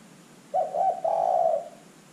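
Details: Zebra dove calling as a lure for other birds: a single phrase of short wavering notes running into a sustained, slightly trilled coo lasting about a second.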